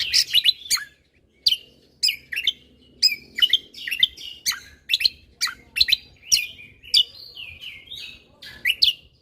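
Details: Lesser green leafbird singing vigorously in the gacor mentalan style, a tutor recording for songbirds learning tembakan bursts: loud, sharp chirps and downslurred whistles in rapid clusters with brief pauses, high-pitched and varied throughout.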